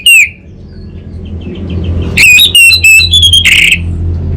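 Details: Orange-headed thrush (anis bata) from North Bali, Singaraja, singing as training therapy for kept songbirds: one sharp downslurred whistle, silence, then a fast jumble of loud ringing whistled notes and a harsh final burst over low background hum.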